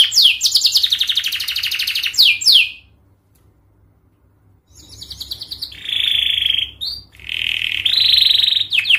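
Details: Long, fast canary song meant to teach young birds to sing and answer: rapid buzzy trills and sweeping notes, a silent gap of about two seconds, then steady rolling trills at a lower pitch.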